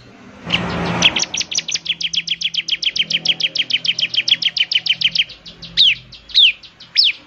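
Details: Bar-winged prinia delivering a long fast trill of evenly repeated high chirps, about six per second, ending in a few slower, louder downward-sweeping notes.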